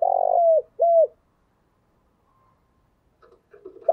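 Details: Lure cooing of a spotted dove to make caged birds coo: a long buzzy coo sliding down, then a shorter downslurred note, followed by silence and faint scratchy sounds.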